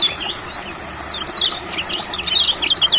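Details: An olive-backed (yellow) sunbird in a rice field, taken there to prompt singing, sings quick bursts of thin, high, twittering notes that sweep up and down, over a steady high insect-like hiss.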